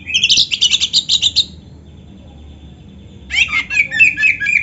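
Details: Oriental magpie-robin singing a full song with canary-style fill: a fast, high, rattling trill lasting over a second, a brief near-silent gap, then another burst of sharp, bright, twittering notes.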